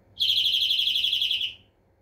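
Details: European greenfinch delivering one quick, even trill of bright, closely repeated notes lasting about a second and a half, tapering off into near silence.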